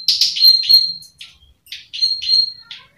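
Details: Clicking calls of a plain prinia from rice fields: loud rapid buzzy notes with a thin high tone, delivered in short runs of three or four separated by brief gaps.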